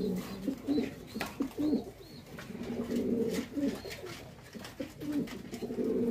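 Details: Archangel pigeon, a rare quality fancy breed in Bangladesh, coos repeatedly in short, throaty, wavering phrases, several in quick succession, with occasional clicks and faint higher chirps over background noise.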